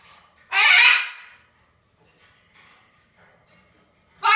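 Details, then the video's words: Blue-and-gold macaw talking "bird crap": a loud, harsh, raspy phrase of about half a second, a few faint murmurs, then another loud burst cut off at the end. "Blue and gold macaw talking "bird crap""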